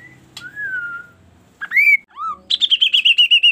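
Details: Kaso kaso bird singing a varied song that prompts other birds to join in: a long falling whistle, a rising slurred note, a downward flick, then a fast series of bright pulsed whistles slowly descending.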